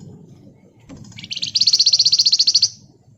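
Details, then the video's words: Pied fantail, ngebren rapat nyerecet style for luring wild birds: a brief high intro, then a fast, accelerating series of sharp, evenly spaced metallic notes, around fifteen in just over a second, over a faint low background. "Burung Flamboyan Gacor Ngebren Rapat Nyerecet"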